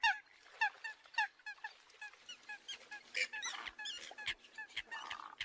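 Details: Eurasian coot lure calls for attracting other birds: nasal, slightly downslurred honks repeated roughly twice a second, several birds overlapping into a busier chatter in the second half, with faint low hum underneath.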